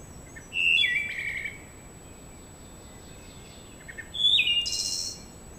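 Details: In a forest where it is thought to be nesting, a wood thrush recorded by a game camera that adds a high-pitched tone sings two flute-like phrases about three seconds apart, each opening low and ending in a high shimmering trill.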